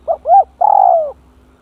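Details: Spotted dove kept as a decoy bird, brought close to a fierce, bold rival: a three-part phrase with two short arched notes and then a drawn-out, slightly descending coo with a tremulous start.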